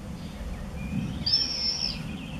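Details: Beek-Ubbergen, Netherlands, 8 June 2014: a common swift 'banger' at an observation nest-box entrance on a house gives one high, piercing, slightly trilled scream of under a second amid soft background noise.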